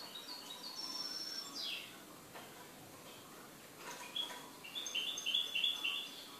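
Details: Goldfinch owned as a pet: a high note series that slides downward, a few clicks, then a fast run of bright repeated chirps near the end over a noisy background.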